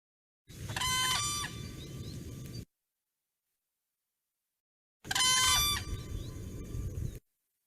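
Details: A whooping crane gives its guard call, a loud, ringing single-note shout, and a second bird answers a few seconds later with the same harsh call.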